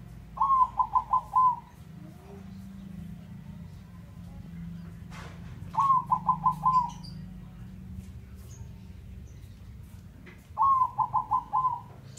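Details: Male zebra dove of the Bangkok type singing actively and often; three phrases roughly every five seconds, each a fast run of five or six soft, rolling coos at a steady pitch ending in a longer note, over a low background hum.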